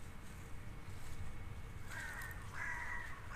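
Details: Wild green parakeets calling in a park in Hampstead, London, in autumn; harsh, grating screeches in short bursts during the final second and a half over a low background rumble.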